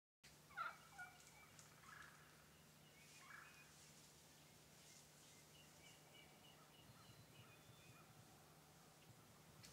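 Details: Eastern wild turkeys, a bearded hen and a jake, in Pennsylvania on March 21, 2009; a loud, rapid, rattling call near the start, then two fainter calls, over a steady low hum.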